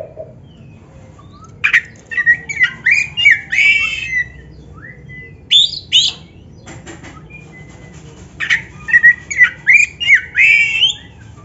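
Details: Oriental magpie-robin, black-breasted form, recorded to stimulate caged birds: two bursts of rapid varied notes, rising whistles mixed with harsh chattering, separated by several seconds of near silence.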